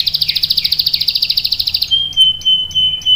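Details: Canary long-roll song for tutoring young birds: a fast wavering pulsed trill lasting about two seconds, followed by a pure sustained whistle with short chips.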